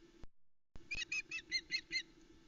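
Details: Female osprey at the Loch Arkaig nest, Scotland, 17 July 2020, calls as the male delivers a trout to the chicks: six short whistled yelps in a quick even series, faint behind a steady low hum.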